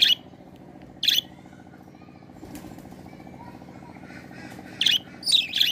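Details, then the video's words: Budgerigars giving short, bright chirps in brief bursts at the start and end, over a low steady hum. "বাজরিগার পাখির ডাক"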